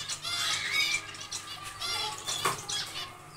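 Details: Zebra finches in a small aviary, second day of nest building: a busy string of harmonic, nasal calls from several birds, with a sharp louder note midway, over a faint hum.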